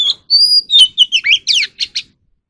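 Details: Vigorous Oriental magpie-robin song, meant for training captive birds: a sustained whistled note followed by a string of about eight varied slurred and down-swept notes.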